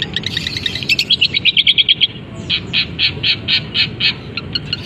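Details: Long-tailed shrike kept in a cage, its song stuffed with canary, fighting sparrow and kapas tembak imitations, heard just after uncovering: quick high twittering trills, then a run of harsh, evenly spaced squawky notes about four per second.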